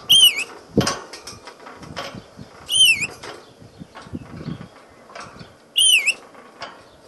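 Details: A pet rainbow lorikeet gives three high, wavering whistled calls about three seconds apart, between rustles, clicks and soft flutters, while playing around.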